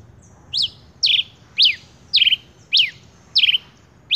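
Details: Male rufous-collared sparrow singing: a steady series of sharp, high, downslurred notes, roughly two per second. Several notes end in a brief rattling trill. The background is quiet.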